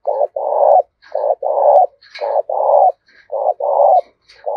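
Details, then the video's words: Spotted dove cooing repeatedly in a steady rhythm: pairs of a short note and a longer mellow note, about one pair per second, with faint higher clicks and chirps between phrases. "tiếng cu gáy"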